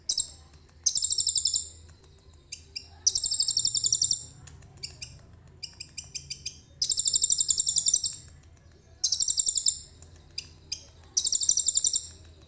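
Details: Actively singing common iora carrying cililin-copied material, recorded with a phone: repeated long shrill buzzy rattles separated by quick bunches of high clicking chips, pattern recurring about every two seconds, soft low hum behind.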